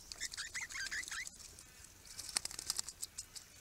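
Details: Critically endangered swift parrots visiting in April 2022, a flock of up to nine with at least two immatures: quick, high, metallic chirps in a rapid series, then a burst of sharp clicking ticks as several birds call together.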